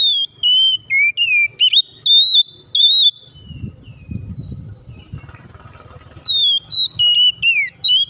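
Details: Oriental magpie-robin in aggressive, vigorous song meant to provoke rivals into singing: rapid sequences of bright whistled notes with downward and upward slides, a pause with low rumbling background noise, then another quick whistled burst.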